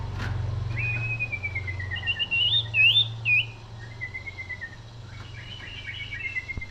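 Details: Common iora (cipoh, cipeuw, sirtu) singing cetrekan-style. A long whistle falls slowly, then bright twisting warbled phrases follow, then more sliding whistles and a closing falling note. A faint low hum runs throughout.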